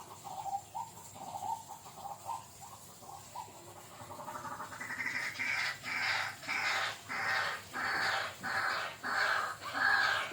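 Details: Bird known locally as Jujuk or Tatapaian: soft low notes at first, then a loud series of harsh, broad-toned calls repeated about every half second, rising slightly in strength over several seconds.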